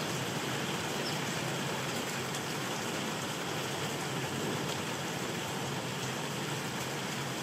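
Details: Heavy, steady rain hiss fills the recording, with no animal voices heard.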